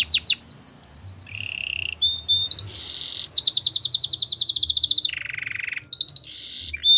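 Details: Gloster canary singing a varied song: fast repeated high chirps, a low buzzy trill, then long rapid rolling trills near the top of its range, with quick tour changes and sharp whistled notes.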